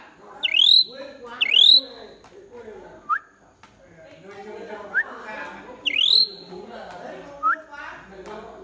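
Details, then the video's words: Pied myna repeating loud upswept whistles in pairs, mixed with short soft rising chirps and a steady low chatter in the background. "Chim cưởng hót cực hay"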